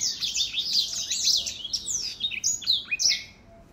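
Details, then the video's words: Older black-throat, 2021: a dense phrase of high warbles and chirps that thins at the end into a few clear, separate sweeping whistles before fading out. "Older Black-throat singing ~ 老黑喉燕歌唱"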